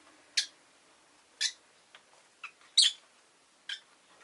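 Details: Rosy-faced lovebird giving short, harsh, high chirps, about five spaced unevenly over four seconds, some louder and some softer, against a quiet background.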